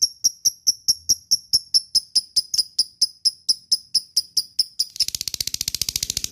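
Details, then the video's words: Ngekek song of a fighter lovebird, meant to coax reluctant lovebirds into singing: evenly spaced sharp, ringing chips about four per second, giving way near the end to a dense, buzzy, rapid chatter. "pancing love bird malas bunyi,lovebird fighter ngekek gacor di jamin nyaut"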